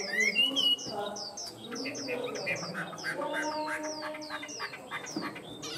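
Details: A tame Chinese hwamei opens with a brief burst of loud whistles, followed by quieter, steadily repeated high descending notes over soft lower tones.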